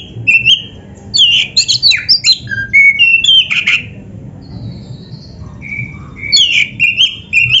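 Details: Kacer, the white-rumped shama, kept caged, delivering a full varied training song: rapid jumbled whistles and twangy notes, then steady pure whistles and a fresh burst of mixed phrases; faint background hum.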